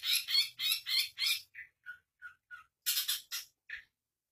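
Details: Long-tailed shrike from East Java with song fill of cucak ijo and kapas tembak imitations: five rapid harsh scratchy bursts, then four short downslurred whistled notes, more rasping bursts and one final short note before silence.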